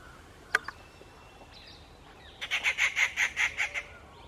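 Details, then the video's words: A rufous treepie calling on a birdwatching trail in Rajaji National Park gives a fast series of about eight harsh, grating notes, roughly six a second, after two sharp clicks, with faint speech nearby. "Rufous Treepie"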